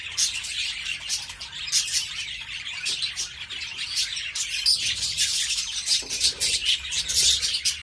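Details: Many budgerigars in a filling aviary keep up constant high chirping and warbling chatter, overlapping calls with no pause, and a faint low hum in the background.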